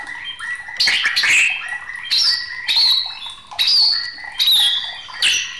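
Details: Agitated white-rumped shama in full song, giving harsh, squawky, high-pitched phrases separated by short pauses, each burst loud and rasping with sharp upward and downward slides.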